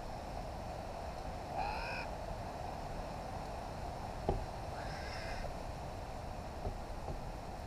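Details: Wild, free-flying New Caledonian crow family of three using tools around a log to get food: two short, nasal, slightly rising calls about three seconds apart, over steady rushing wind or rustling.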